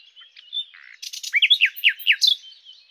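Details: Common nightingale (Luscinia megarhynchos) singing: soft whistled notes, then a buzzy burst and a run of four loud, sharply slurred notes, ending in a thin trailing whistle.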